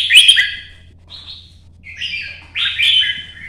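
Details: Red-whiskered bulbul, a kept songbird in Vietnam, in early morning sun, singing competitively to provoke rivals: three bright, warbled phrases, rich and slurred with quick up-and-down notes, separated by brief pauses, over a faint low hum.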